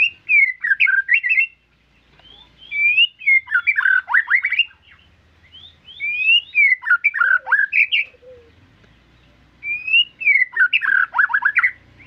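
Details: White-rumped shama repeating rich song phrases roughly every three seconds, each a swirl of slurred whistles and quick chattering notes, with quiet pauses between them.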